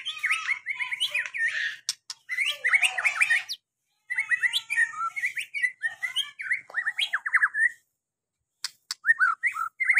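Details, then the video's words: White-rumped shama song: rich, varied whistled phrases with rapid trills and slurred notes, delivered in bursts separated by short pauses, fairly loud and clean with no other sounds. "pancingan muarai batu susah bunyi"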